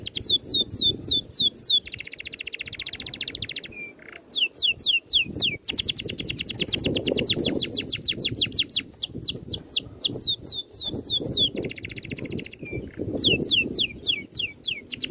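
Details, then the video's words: Oriental magpie-robin in tight rolling 'ngerol' style with crisp 'tembakan' shots, used as tutor song for training birds: rapid series of high downslurred whistles alternating with dense buzzy trills, low background rumble beneath. "MASTERAN BURUNG NGEROL RAPAT TEMBAKAN RAPI"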